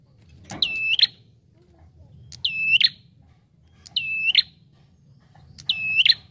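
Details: Bar-winged prinia calling busily in a lure recording: four loud, ringing, buzzy whistled notes, each introduced by a sharp click, spaced roughly every two seconds over quiet low rumble.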